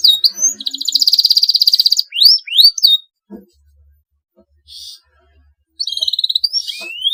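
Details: Canary singing in the continuous 'gacor' style meant to provoke rivals: a dense high buzzing trill, sharp rising whistles, a near-silent stretch with faint clicks, then a steady trill ending in an upslurred whistle.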